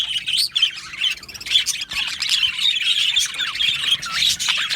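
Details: Budgie parrots kept in an aviary colony, loud squawky chirps and squeals with fluttering warbled notes from several birds, busy and continuous, some calls sliding up and down in pitch.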